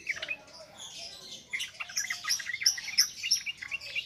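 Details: Ngropel ngalas song of a yellow-vented bulbul meant as a training lure: a rapid jumble of chirps, then several sharp, thin high notes repeated roughly three times a second in the second half.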